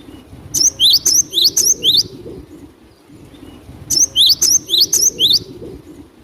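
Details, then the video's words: Java sparrow, known locally as glatik batu, singing energetically as a lure: two phrases of about six high, clinking chirps each, separated by roughly two seconds of quiet, over a low background hum. "Suara glatik batu gacor buat pikat pasti dapat"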